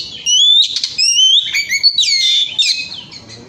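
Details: Caged Oriental magpie-robin in full song, played to draw singing from other birds: a dense run of loud, varied whistles, sweeping slurs and rapid trills, delivered almost without pause and fading slightly at the end.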